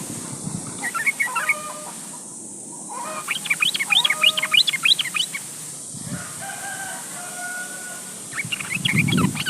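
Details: Yellow-vented bulbul calling a rival; lively bursts of quick bubbling, up-and-down whistled notes in a rapid chattering run, over steady high hiss and a faint low rumble.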